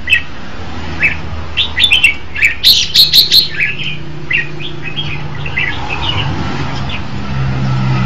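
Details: Red-whiskered bulbul song: a burst of fast, cheerful whistled notes peaking around three seconds, followed by gentler warbled phrases and a faint low hum throughout.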